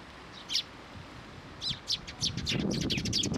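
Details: Sparrows arrive at a post to be fed at a Tenmangu shrine on 5 May 2023. Two separate chirps come first, then rapid, sharp chirping builds into a chattering run over a low rumble.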